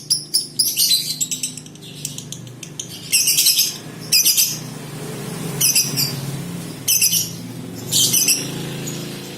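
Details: Lovebird colony, female 'konslet' chatter played as treatment audio: harsh, buzzy high chattering bursts coming every second or so, with short pauses between and a steady low hum underneath.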